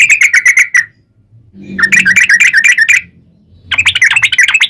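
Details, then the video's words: Sooty-headed bulbul in fighting-style rapid song used to make other bulbuls respond. Three bursts of fast chattering chirps are separated by short pauses, with a faint low hum between bursts. "KICAU SUARA trucukan gacor TARUNG ROPEL PANJANG"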